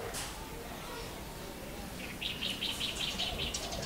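Scarlet-backed Flowerpecker giving a quick run of thin, high ticking notes, about eight in a second and a half, after a quiet start over steady background hiss.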